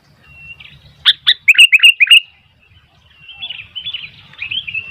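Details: Sooty-headed bulbul in full song attracting wild bulbuls; two sharp notes followed by a fast run of five bubbly descending chirps, then a softer rolling warble after a pause.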